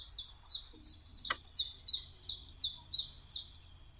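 Common chiffchaff singing a steady run of high, sharp notes, about two or three each second, see-sawing slightly in pitch. Nothing else stands out.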